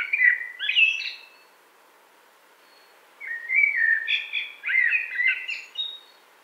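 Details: Common blackbird singing in a wood in spring 2017: two unhurried phrases of mellow, fluty warbling, each ending in higher scratchy twitters, separated by a couple of seconds of quiet.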